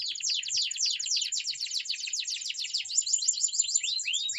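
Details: Canary training song, a dense continuous tangle of quick high chips and trills without pause, finishing with a few arched whistled notes.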